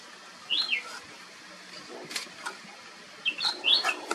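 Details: Flame-throated bulbul, also called Ruby-throated bulbul, in southern India: short sweet warbled phrases of rising and falling whistles, one near the start and a fuller one near the end, with faint background noise.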